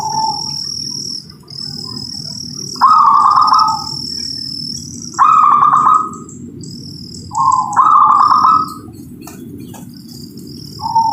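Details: Local zebra dove repeating its song three times, a brief soft introductory coo leading into a louder, vibrating, rolling trill, with pauses of roughly two seconds; constant high-pitched insect buzz and low rumble underneath.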